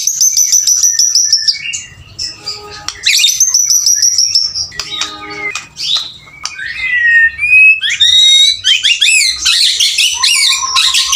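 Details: Male white-rumped shama singing hard: long high buzzy trills, short pauses, ladder-like clicking series and then rapid rising and falling whistles rushing together in the final seconds.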